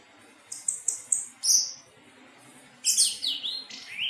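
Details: Thrush known locally as anis teleng, singing melodiously: a row of four short high whistled notes, then sweeping slurred phrases dropping in pitch, with quiet gaps between bursts.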